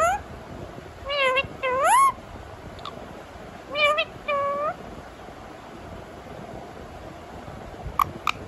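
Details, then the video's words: Talking rose-ringed parakeet mimics a cat's miaow, giving two paired sets of nasal, harmonic meows, one rising at the end, then several seconds of near silence broken by a couple of faint clicks. "Miyan Mithu in Talking Mood 😍 Miaon Cat Sound"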